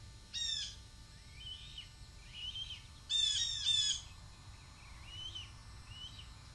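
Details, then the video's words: Young Red-tailed Hawk (male fledgling) off the nest screaming at his mother as she flies by, begging for a food delivery: two harsh, hoarse screams, the second longer and doubled, with softer thin chirps and squeals between; 2 July 2023. "Deyani Sees Mom & Screams!"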